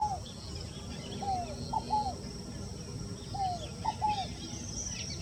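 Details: Scaled dove (rolinha fogo-apagou) singing: two low, soft three-note phrases about two seconds apart, each a downslurred cooing note followed by two shorter notes, with faint higher bird calls in the background.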